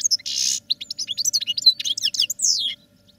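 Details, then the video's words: European goldfinches kept in cages for song training give a continuous rapid twittering song, with a harsh buzzy rasp early on, quick high tinkling notes, and a descending slurred phrase near the end. "Goldfinches Singing in CAGES for TRAINING"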